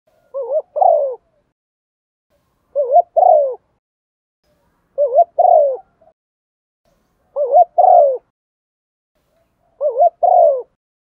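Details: Spotted dove used as a decoy, cooing to draw wild doves in and call the flock; low husky coos, each a quick double note then a longer falling coo, repeated about every two and a half seconds, five phrases, quiet background.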